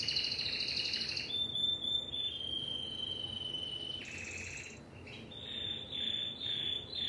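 A Timbrado canary sings long, level, metallic rolls and trills, switching between sustained high tones and rapid pulsed phrases with no pause.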